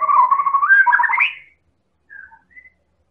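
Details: White-rumped shama of the Medan type from Indonesia, a constant singer used to provoke other birds into singing: a sustained, wavering whistled phrase that climbs at its end, followed by two faint short whistles.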